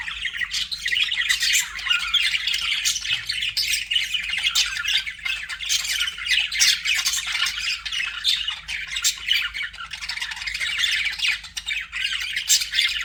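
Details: Aviary budgerigars keep up a constant murmur of scratchy warbled chatter and thin squeaks, a little softer and more blended, with occasional sharp clicks poking out.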